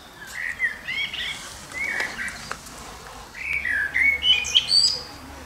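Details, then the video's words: Singing common blackbird delivering rich, warbled whistled phrases, a short pause, then a longer phrase ending in thin high squeaky twitters, against faint outdoor background noise. "kilka minut .... ze Śpiewającym Kosem - e few minutes .... with Singing Blackbird"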